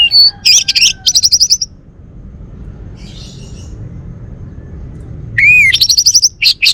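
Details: Male orange-headed thrush from Bali singing: bright, high chirping phrases of rapid stacked notes in two bursts separated by a quiet pause, with faint low background rumble.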